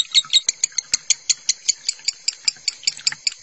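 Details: Lovebird singing in the konslet style, recorded as a masteran tutor track: a rapid run of about seventeen sharp, high, metallic chirps in three and a half seconds, steady and slightly uneven, with faint ticking clicks behind.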